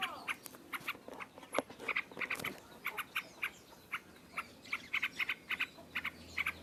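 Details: Loud "ngropel" style singing from a yellow-vented bulbul. Spaced, bright, clipped notes come at an uneven pace over soft background hiss, with a short rustle early on.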